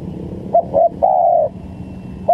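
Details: Spotted dove recorded to lure birds for trapping: two short rising notes followed by one long, gently wavering coo, low-pitched and clear over a soft hum.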